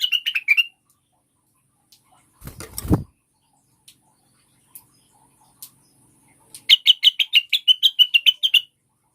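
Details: Cucak wilis (rengganis) used to lure caged birds into singing: a short burst of chirps, a loud rattling clatter, scattered faint clicks, then a long fast run of about twelve high, sharp chirps.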